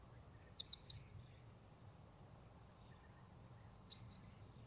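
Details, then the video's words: Wild-bird luring at Port Baru with a Blue-crowned hanging parrot: three sharp high chirps in rapid succession, then silence and one softer, rougher high note a few seconds later, over a faint steady hum. "Memikat Serindit Di Port Baru"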